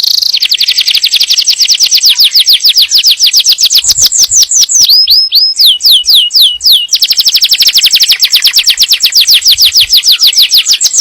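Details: Yellow canary singing to prepare the female for breeding and to teach the young: loud rapid high trills of sweeping notes, shifting midway into slower downslurred whistles before a fast rolling trill resumes.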